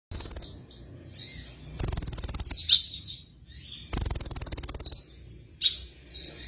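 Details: Sunbird singing actively: bursts of very high, rapid buzzy trills about a second long, separated by short sharp chirps and brief pauses, repeated twice with clicking accents.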